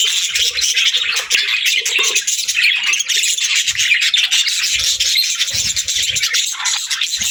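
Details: Parakeets (budgerigars) in busy chorus, many overlapping bright chirps and buzzy warbled phrases running without a break, plus occasional soft low knocks.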